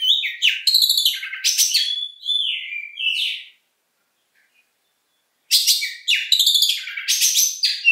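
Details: Oriental magpie-robin, kacer, singing bursts of varied whistled and chattering notes with dropping slurs, then about two seconds of silence before another energetic phrase.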